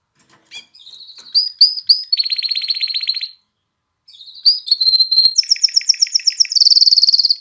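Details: A canary's song, intended to stimulate hens to mate and chicks to sing. Rising whistled notes run into a buzzy trill, then after a short gap the phrase repeats, ending in a fast, very high trill.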